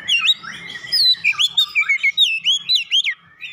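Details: Oriental magpie-robin, its song laced with gelatik batu (cinereous tit) imitations: quick sequence of bright whistled swoops and chirps, many up-and-down slurs repeated in steady rhythm, a faint low hum underneath.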